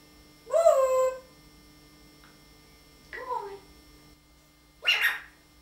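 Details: Pet talking parrot giving three separate voice-like utterances. The first is a longer, wavering, harmonic sound, then a shorter bent syllable, then a raspy, breathy burst. A faint steady hum lies behind.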